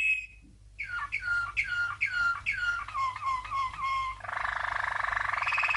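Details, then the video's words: Training song of a Malinois (Waterslager) canary champion from 1997: a clear whistled note, then a series of liquid, dropping gurgled phrases about three per second, ending in a fast continuous roll. "Malinois CANARY From 1997 - 12h Training Song"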